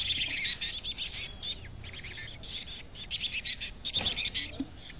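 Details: High, squeaky chirps from chickadees in a North Vancouver nest box, repeated in quick clustered bursts with brief pauses, a soft thump near the end and low background rumble.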